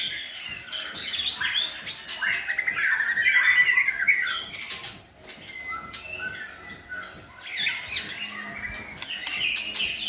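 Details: Several good-voiced white-rumped shamas used to coach a selected shama's singing; mixed harsh squawky notes and whistled phrases, a loud trill-like run around three seconds, softer varied bursts afterward.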